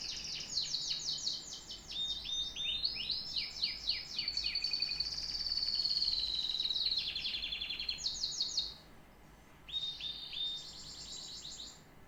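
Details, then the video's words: Canary singing long varied phrases: rapid swept chirps, a rolling whistled trill, then pauses and renewed high trilled bursts. "The best tweets of a canary bird"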